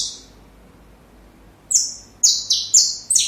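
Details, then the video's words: Saffron finch, song intended for training young birds: one raspy high note, a silence of over a second, then a quick string of five buzzy descending notes about a quarter-second apart. "Canário da Terra Canto Perfeito Para filhotes"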